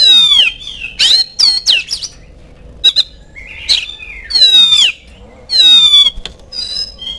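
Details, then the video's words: Lure song of an oriental magpie-robin, meant to get kept birds singing back: repeated loud downward-sweeping whistles alternating with short sharp chips and a scratchy buzz, separated by brief silences. "DENGAN PANCINGAN INI SEKETIKA KACER ANDA LANGSUNG NYAUT IKUT BUNYI"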